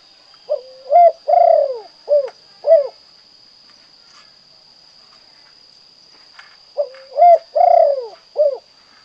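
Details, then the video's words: Spotted dove, derkuku or tekukur, repeating its 'kuk 2' song twice, with several seconds of quiet between. Each phrase is a short coo, a rising note, a long vibrating falling coo and two quick closing notes, over a constant electronic whine. "Suara indah dan merdu burung derkuku tekukur kuk 2"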